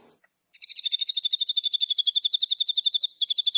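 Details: White-rumped shama singing hard in captivity, a fast, steady burst of high, sharp metallic notes repeated about four times per second, briefly broken near the end, then resuming.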